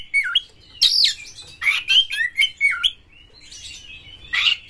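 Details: Kacer, or white-rumped shama, singing as a prompt for other shamas: a dipping whistle, a strong upward-sweeping note, then a string of quick scratchy slurs, a pause and one final harsh burst.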